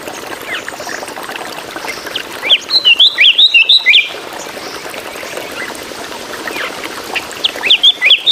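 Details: Drongo singing in bursts: after quiet background chatter, a quick sequence of sharp, zigzagging whistled notes runs for about a second and a half, then a shorter similar burst follows near the end.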